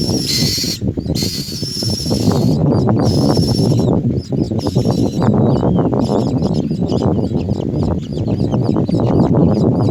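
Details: Very hungry common myna chicks begging: harsh, raspy, drawn-out hisses in bursts of about a second over the first three seconds, then faint thin chirps, all under a constant loud low rumble.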